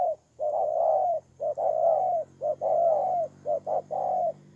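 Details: Spotted dove kept as a decoy bird, recorded in Kon Tum on 23 September 2018: low, clear cooing phrases, each a short lead-in note followed by a longer smooth coo, repeated about once a second with brief pauses.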